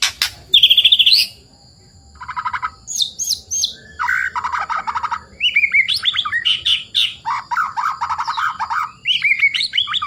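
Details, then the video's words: Wild white-rumped shama singing in forest, used as a lure for birds kept at home: a fast buzzy trill, then varied whistles, chattering runs and high slurred notes, with faint background hum. "GACORR MURAI BATU BIKIN EMOSI | isian suara murai gacor pancingan suara burung"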